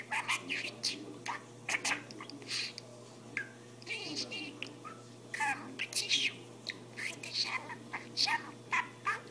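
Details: Budgerigar speaking in an unbroken babble of gritty syllables, clicks and brief whistled inflections, with a low steady hum in the background.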